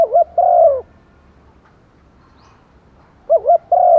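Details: Spotted dove decoy calling to lure wild doves: a low wavering double note and a long falling coo, then a quiet pause of over two seconds before the same phrase returns.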